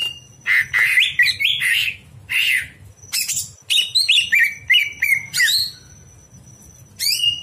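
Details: Greater green leafbird singing at night as training material for other birds: lively chattering and whistled phrases in rapid bursts, some harsh and broad, others clear and sliding, then a pause and a final rising note; steady faint tone behind.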